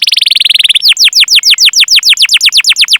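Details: Canary training-lure song: a short fast rolled trill, then a steady run of about sixteen loud, downward-sweeping 'cuit' whistles, evenly spaced at roughly six per second.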